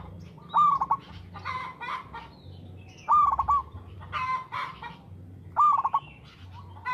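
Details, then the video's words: Local perkutut or zebra dove song: short rising coo phrases breaking into rapid stuttered pulses, three phrases over seven seconds, with another bird's buzzy notes and soft background chatter between them. "PERKUTUT LOKAL GACOR SUARA TERATUR"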